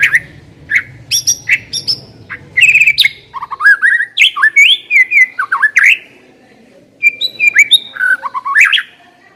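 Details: White-rumped shama singing as a lure to start another shama singing: a long, varied run of loud whistles, chatters, slurred rising and falling phrases and brief trills with short pauses between bursts.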